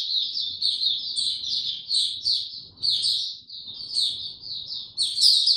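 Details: Kept white-eye on 29 April 2022, no supplements given, delivering a rapid high warble of chirps and slurred whistles, with louder bursts near the end, over faint low noise.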